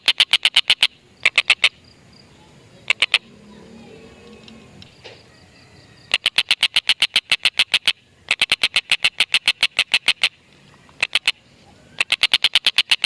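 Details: Chattering tengkek buto used as a lure for lovebirds; short fast bursts of sharp clipped notes alternate with quiet gaps, while faint softer background sounds come through between bursts.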